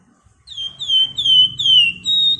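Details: Flamboyan bird singing actively in the dense ngebren rapat nyerecet style: a series of clear, high whistled notes, each sliding slightly downward, repeated about every half second and growing louder, over a faint low hum.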